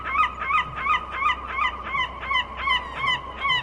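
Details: A gull on a beach gives a fast run of harsh, nasal, slightly falling calls, about three a second and fairly regular, over a faint low background rumble.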